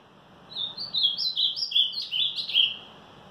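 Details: Ultramarine grosbeak singing in the 'batida forte' style on a Monday morning, 18 March: a phrase of about eight clear whistled notes stepping up and down, delivered over two seconds, then quiet room hiss.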